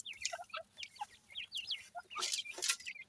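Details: Grey francolin (teetar) chicks playing together; many short, high, thin chirps and peeps overlap, several sliding downward, in quick irregular bursts, with a louder rasping burst near the end.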